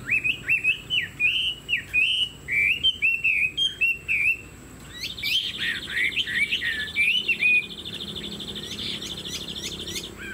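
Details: Caged Chinese hwamei (họa mi) with a spread tail and tall posture, kept as a songbird: loud whistled phrases that rise and fall, then a long buzzy, rapidly trilled passage higher up, with faint clicking behind.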